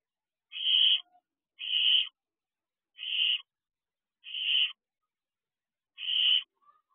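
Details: Barn owl owlet at a nest box after midnight on 3 June 2023; five harsh, breathy hisses, each about half a second long, repeated roughly every second and a quarter in otherwise silent night air.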